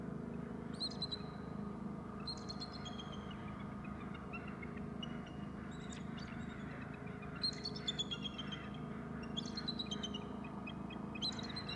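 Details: At the nest, a bald eagle gives repeated series of shrill, piping chitters in short bursts about every two seconds. Constant low rumbling background noise.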